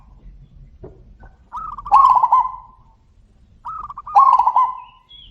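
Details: Zebra doves calling back and forth loudly: two long coo phrases, each starting with quick beaded notes and swelling into a strong rolling trill, about two seconds apart.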